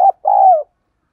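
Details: Spotted dove kept as a decoy to provoke other doves, a brief clipped note then one long smooth falling coo.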